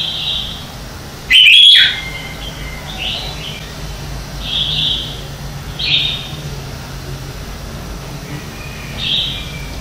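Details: Red-whiskered bulbul singing competitively in the morning, used for training: one loud, bright warbled phrase, followed by a series of softer clear whistled phrases spaced a second or two apart.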